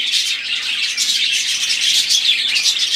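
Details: Several budgerigars singing together, a dense, continuous chattering warble of high, scratchy chirps and squeaks with no pauses.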